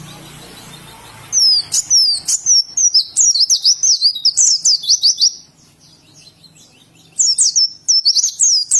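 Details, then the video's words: Indonesian oriental white-eye singing "ngalas": after a quiet second, a long stream of high, thin, quickly rising and falling whistles, pausing briefly before a final twittered phrase. "Burung Pleci Ngalas"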